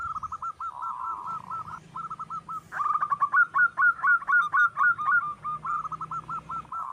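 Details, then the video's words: Wild local zebra dove song used for luring: quick rolling coos in two phrases, the second louder with sharp, evenly repeated notes about four per second, fading into softer trills. "suara perkutut sedang mantap untuk pancingan"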